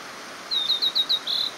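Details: Blue-and-white flycatcher singing beside a nearby mountain stream on 22 May 2018; a quick run of five or six high, clear whistled notes, evenly spaced and ending in a slightly longer trill.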